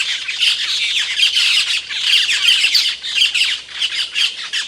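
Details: Asian glossy starling (Aplonis panayensis), a songbird from Indonesia known for its loud, sharp calls, gives harsh, squawky, high-pitched chatter in dense, overlapping, nearly continuous bursts, possibly several birds at once; call.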